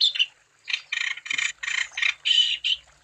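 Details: Harsh, squawky wambi phrases given in separate bursts roughly every third of a second, a song played to encourage other wambi birds to sing.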